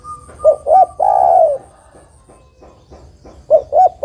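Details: Female spotted dove calling to males: two short coos lead into one drawn-out, gently falling coo. A steady faint tone runs behind, and the next phrase begins at the end.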